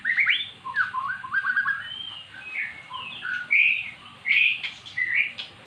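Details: Silent magpie-robin finally singing after being lured with recorded song of its kind; high clear whistles mixed with quick chattering notes in loose bursts, over a steady low background hum.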